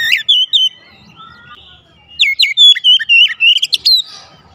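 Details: Oriental magpie-robin song intended to spur reluctant singers: a short whistled phrase, a pause, then a fast, jumpy series of clear, upslurred and downslurred whistles.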